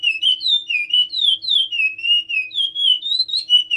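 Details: A Chestnut-bellied seed finch (curió) sings a Timbira-style song: a steady, unbroken run of clear, sweet whistles that slide up and down between phrases, over a faint low hum.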